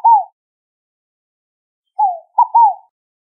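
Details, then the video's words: Scaled dove (rolinha fogo-apagou) song: soft, low cooing notes, each sliding downward; a single coo, a pause of nearly two seconds, then a quick phrase of three coos, with silence otherwise. "O Canto da Rolinha Fogo Apagou"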